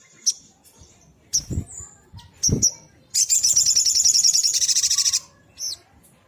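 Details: Sunbird, known locally as sogok ontong, in lively song: thin high chips and whistled notes, then a sustained two-second buzzy trill, ending with a short chirp and soft thumps.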